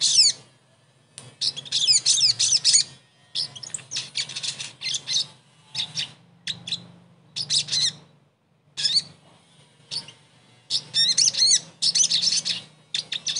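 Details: Sogon song used to restart a bird that has gone quiet: long stretches of fast, high, twittering and buzzy phrases broken by short gaps, with a faint low hum underneath.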